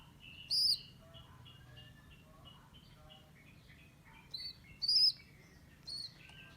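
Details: A rescued baby rock pigeon, abandoned by its mother and on its second day in care, gives short, thin, high squeaks, one early and then a quick cluster of three or four a few seconds later, over faint quiet chirping.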